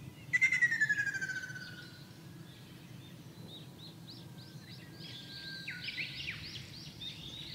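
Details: Ruddy kingfisher singing in Shizuoka Prefecture, Japan, on 2 June 2024, one of several in a wide area: a loud pulsed trill sliding steadily downward for about a second and a half, followed by softer chirping of other birds over low rumble.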